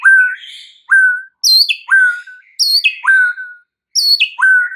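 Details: White-rumped shama song played as a provoking lure: clear whistles alternate with loud descending phrases that drop from piercing high notes to a mellow lower whistle, delivered in steady bursts.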